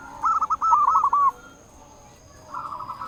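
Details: Zebra dove of a local strain calling to rivals: a quick burst of rolling, trilled coo notes, a pause, then another softer rolling phrase.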